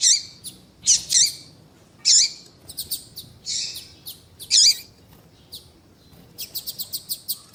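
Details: Coleiro tui tui, the double-collared seedeater, female call alongside male song meant to warm up a male: spaced harsh buzzy chips about every second, ending in a rapid rattle of brief high ticks.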